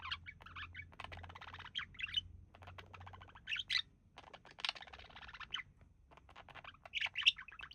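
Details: Pair of pet budgerigars relaxing, the male said to mimic human speech; a buzzy, rasping warble of harmonic bursts runs in short phrases with brief gaps, and a low steady hum sits beneath.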